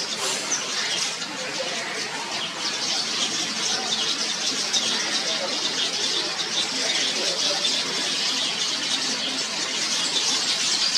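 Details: Many yellow weavers calling at a crowded nesting tree in Mombasa, Kenya, at dawn while finishing nests and bringing food to their young; an unbroken wash of high, scratchy chirps and squeals lasting throughout.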